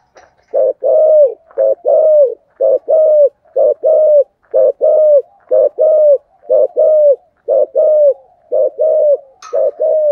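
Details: Spotted dove with a 'thổ' style voice calling to attract other doves; a long steady run of low cooing notes, short and long coos alternating about once a second, each long coo bending downward at its end.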